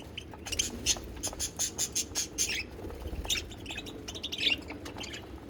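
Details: Parakeet singing from pet budgies, a string of quick, evenly spaced high chirps in the first half, then softer scratchy warbled notes.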